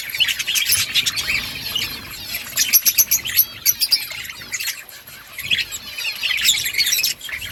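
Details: Many budgerigars from a breeding colony twitter together, quick bright chirps repeating several times a second with warbling squeaks, a burst of sharper notes around three seconds.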